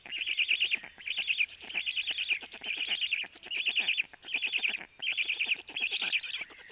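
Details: Storklets of a black stork being fed by the male at the nest, 12:01: seven even, rasping trilled bursts, each under a second, separated by short gaps, with soft clicks beneath.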